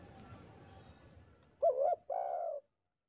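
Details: Spotted dove song played as a lure so other doves sing back: faint murmuring background, then two clear, low, hollow coos, the second longer and steady in pitch.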